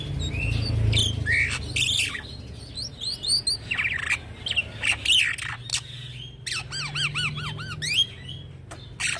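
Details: A young black-winged myna, kept as a tutor and lure for training birds, delivers harsh squawks and mixed whistles, then a quick series of repeated looping whistled notes; low hum underneath.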